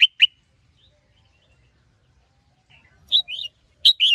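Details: Red-whiskered bulbul, a kept songbird, a male roused into full-fire singing by a female's calls: two sharp chirps open the clip, then near-silence for nearly three seconds before quick bursts of bright warbled notes return at the end.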